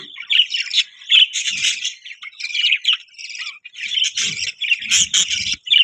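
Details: Budgerigars keep up lively warbling chatter mixed with sharp squawky chirps, coming in uneven bursts separated by short gaps.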